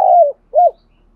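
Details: Training decoy spotted dove for fighting birds: a long smooth falling hoot followed after a brief pause by a short arched coo.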